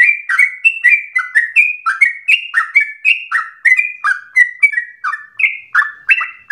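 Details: Lively Sooty-headed bulbul song for training birds and stimulating them to sing: continuous chain of mellow, fluty two-note phrases sliding downward, rapidly repeated with only brief gaps.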